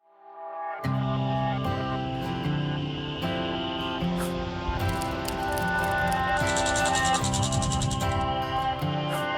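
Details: Loud instrumental music with steady plucked notes and sustained chords, with a bright jingling layer entering midway.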